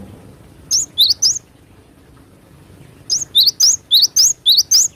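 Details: Wild cinereous tit singing actively in sharp, rapid bursts: a group of three high whistled, zigzagging notes, a pause, then a run of about eight quick repeated notes rising and falling steeply, over a faint low background hum.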